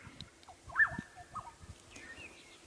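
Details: Black-headed orioles, about six heard, calling on 5 October 2016 at breeding time amid a possible territorial dispute: a few liquid, fluty whistles with a looping swoop, short mellow notes and a higher slurred whistle over faint low thumps.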